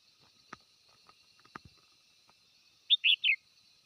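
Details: Red-whiskered bulbul calling to gather the flock, giving a short phrase of three lively, warbling notes near the end after a few soft clicks and knocks.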